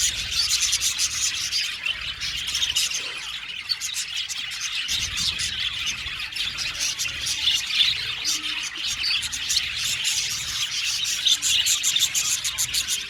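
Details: Flock of budgies singing and chirping in an aviary: long run of busy, high twittering with rapid clicky chirps and squawky notes layered throughout, steady in volume.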